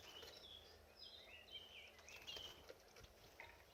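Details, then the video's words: Canary singing while bathing: faint, varied whistled phrases, some sliding up and some down, follow one another quickly over low background noise. "Birdbath Canary"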